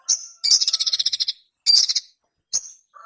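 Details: Ruby-cheeked sunbird (sogon) singing high, sharp chirps and a rapid rattling trill of evenly spaced notes, then a short high note and a brief lower whistle.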